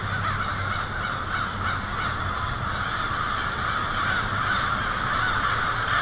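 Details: American crows swarming in huge numbers to a winter night roost on a city street in Lansing, Michigan, February 1, 2016; countless raucous caws merge into a steady, continuous din with low rumbling beneath.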